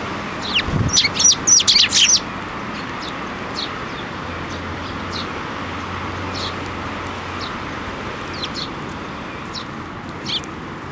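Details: Sparrows landing on a hand for food at a Tenmangu shrine in Japan, 7 May 2024; a dense two-second burst of rapid, harsh high chirps, then sparse faint chirps over steady traffic rumble.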